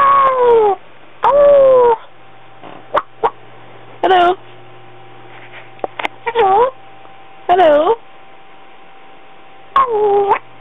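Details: Pet African grey parrot, female and slightly over one year old, wittering at home: a run of loud, voice-like rising and falling phrases, some drawn out, interspersed with sharp clicks and quiet gaps, over a steady background hum.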